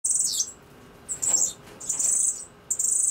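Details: Cuban grassquit in Pinar del Río, Cuba, giving very high, thin, sizzling trills in short bursts about every second, with nothing else heard.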